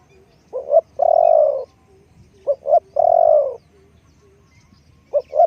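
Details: Spotted dove repeating its coo about every two seconds, each phrase two short rising hoots followed by a long, rolling, mellow coo, in a fairly quiet setting.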